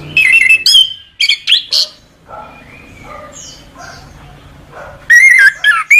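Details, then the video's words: Orange-headed thrush song from a bird-training recording: loud, varied whistled and chattering phrases open the clip, a quieter stretch of softer notes follows, then a bright, warbling burst returns near the end. "Masteran Suara Anis Kembang"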